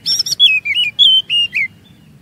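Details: Short phrase of Oriental magpie-robin lure song used to set off long singing in others: a few high buzzy notes followed by a series of clear, slightly falling whistles.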